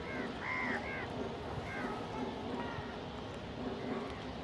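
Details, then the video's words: Crows feeding together with pigeons; a burst of three quick harsh caws near the start, then scattered fainter caws, over low background hum. "Crow ki awaz naturally"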